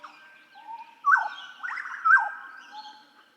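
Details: Hooded butcherbird song for tutoring caged songbirds: a long level whistle, then loud, rich fluted notes that drop sharply in pitch, repeated twice about a second apart with softer warbling between.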